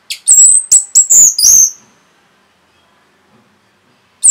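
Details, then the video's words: Orange-headed thrush, rapid provoking song: a string of about six very high, piercing whistled notes, each slurring slightly downward, lasting under two seconds, followed by silence and a final high note. "SUARA RAPET ANIS MERAH BIKIN EMOSI BURUNG NAIK LONCAT INDAH LANJUT NGEPLONG GACOR TELER NGOTOT"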